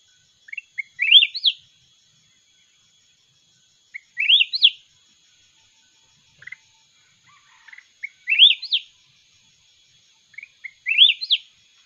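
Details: Red-whiskered bulbul of the mountain type in a singing contest, giving four sweet rising warbled phrases spaced roughly three to four seconds apart, with a few soft chirps between them and a faint steady tone behind.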